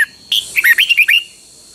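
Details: Red-whiskered bulbul, a Thai cage bird of the Pa La-u type, delivering a phleng boen or double-style song: one sharp opening note, then a rapid string of five or six liquid, whistled, up-and-down notes, loud and clean.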